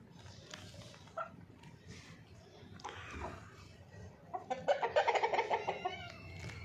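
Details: Caged female hen crowing: scattered clucks and rustling early on, then a loud strained crow with rapid pulsed, harsh notes near the end.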